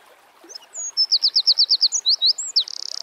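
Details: Eurasian wren in natural surroundings, singing an energetic phrase of rapid repeated high piercing notes, a few swooping whistles, and a closing dry buzzy trill.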